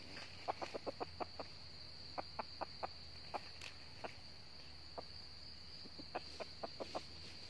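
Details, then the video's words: Around a decoy trap in northern Vietnam, a red junglefowl gives repeated short clucks in loose runs spread over seven seconds, with pauses between groups and a continuous high insect buzz. "bẫy gà rừng miền bắc bổi về gáy đấu cực gắt"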